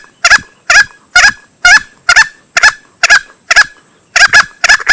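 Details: Male green junglefowl, a recording used as a hunting lure: harsh, hoarse calls, many split into two quick pulses, repeated about twice a second in a steady run of roughly ten calls. No other sounds.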